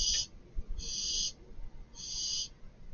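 A young barn owl gives harsh, breathy hisses, three drawn-out rasps spaced about a second apart, with faint low background rumble.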